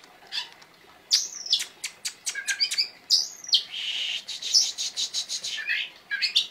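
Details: Oriental magpie-robin in lively full song with sharp shots: loud, varied whistled and buzzy phrases, rapid notes sweeping up and down, bursts repeated over several seconds.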